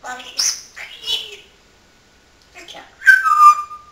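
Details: Household parrot that loves entertaining with constant talk, giving a few rapid speech-like syllables, then after a pause a clear falling whistle-like tone, recorded indoors.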